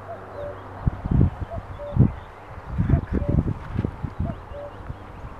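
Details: Common cuckoo calling in the afternoon around 16:00 while perched facing away: soft two-note falling cuckoo phrases repeated roughly every one to one and a half seconds, partly buried under loud rustling and handling thumps.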